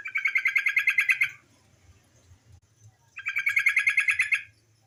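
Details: Lure call of a female white-browed bulbul: two fast chattering bursts of even pulsed notes, each about a second long, separated by a quiet gap of nearly two seconds.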